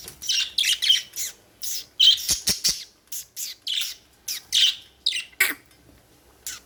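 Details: Budgerigar chirping indoors: a fast string of short, high, harsh chirps and squawky notes, several per second with brief gaps, plus a few sharp clicks.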